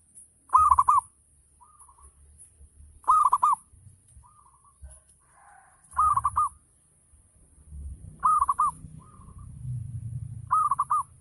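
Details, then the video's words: Local zebra dove cooing in full ngayer style, meant to stimulate other doves to reply; five quick trilled coo phrases spaced two to three seconds apart, softer coos between, low thumps and hiss behind. "Gacor Perkutut Lokal || Pancingan Full Ngayer Perangsang Nyaut Bunyi"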